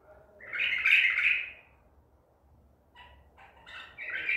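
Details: ['Wild-caught Baghdadi white-eared bulbul from Medical City, April 2021, gives one bright bubbling phrase lasting about a second, then a pause and a rising burst of short notes.']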